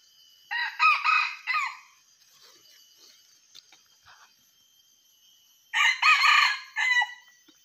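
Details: Junglefowl crowing, recorded for luring birds into a trap: two loud, harsh, multi-syllable crows, each about a second long with a clipped ending, separated by several seconds of quiet with a faint steady hum.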